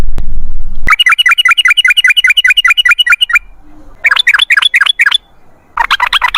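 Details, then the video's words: Rapid 'ropel ngalas' song of a yellow-vented bulbul: a long, steady series of bright, repeated chirps at about two and a half per second, then further short bursts of quicker warbled notes, after a low thump at the start. "MASTERAN TRUCUKAN TERBUKTI AMPUH : Ropel Ngalas"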